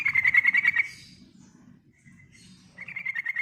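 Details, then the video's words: Yellow-vented bulbul in full lively song, used as a lure for other birds; a quick rattling trill of about eight rapid notes, a pause with a faint thin note, then the rapid trill resumes, over low background hum. "Burung Trucukan Gacor Ngerol, Ngeriwik Bagus buat Pancingan"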